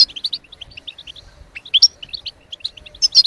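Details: European goldfinch song used to stimulate other birds to sing: rapid high twittering notes in quick runs, with a few sharper rising chirps and brief louder bursts, clean background.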